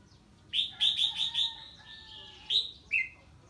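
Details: Red-whiskered bulbul singing in reaction to an unfamiliar bird arriving: a bright run of clear whistled notes around mid-high pitch, a quick repeated phrase followed by rising slurred whistles and a final short upward note.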